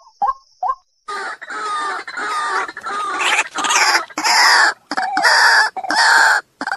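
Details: White-breasted waterhen giving loud, harsh, croaking calls in a rapid series of broad, raspy bursts, after two short soft notes at the start, with brief gaps between the phrases.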